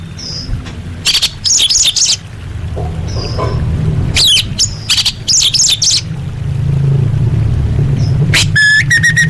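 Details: Orange-headed thrush singing for a masteran tutor track: varied high chips and short warbled phrases, ending in a fast rattling trill with a descending slur, against a constant low rumble.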